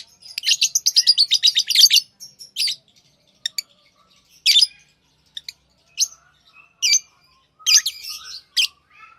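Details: Tame lovebirds open with a fast run of about a dozen rapid, evenly spaced shrill chirps, then give scattered single squeaks and short buzzy chirp clusters.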